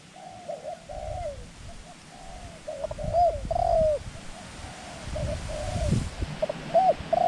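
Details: A dove used as a decoy to draw in wild doves gives a run of mellow, bending coos. Short notes and longer drawn-out ones alternate at an irregular pace over a low background rumble.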